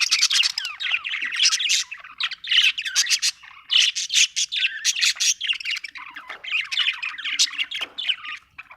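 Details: Happy budgie chirping continuously, a lively warbling chatter of rapid chirps, squeaks and rising-falling whistled notes, loud and clear with no other sounds.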